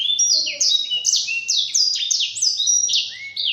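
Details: Black-throated canary song meant for training caged birds, steady overlapping high slurred whistles and brisk trills, with a long falling note closing the phrase.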